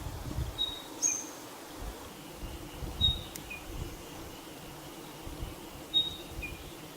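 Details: Spotted pardalote: a thin high whistle followed by a softer lower note, the phrase repeated about every three seconds, with low rumbling background noise.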